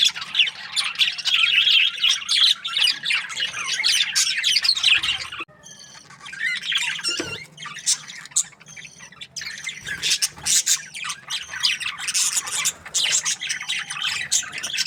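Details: Budgies chirping in bursts: loud twittering chatter for about five seconds, a quieter stretch with scattered chirps, then the busy squeaky babble returns.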